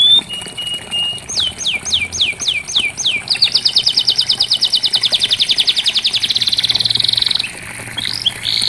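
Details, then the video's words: Canary song used as therapy for a canary that has stopped singing. A flat whistle leads into a series of swooping slurred notes, then a long rapid trill, then a few brief high notes, over light background noise. "Terapi Kenari Macet pasti ikut Bunyi"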